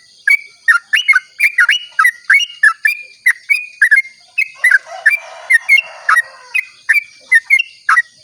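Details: Sooty-headed bulbul giving a long dawn song used to draw other bulbuls into singing: a rapid run of bright, liquid whistled notes with sharp clicks, about three notes a second, slightly rising and falling, over a steady faint high hiss.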